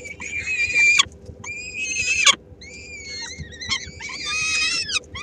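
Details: Peregrine falcon chicks, three weeks old, at a Helmond nest in the Netherlands during feeding by the female in May 2016; separate harsh screeches with whistled, wavering overtones, a short gap, then a dense rasping burst.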